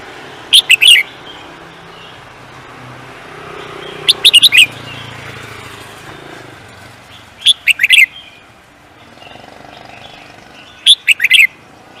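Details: Contest songbird repeating a short phrase of quick, bright, high chirps four times, roughly every three to four seconds, with faint low rumbling in the background between phrases.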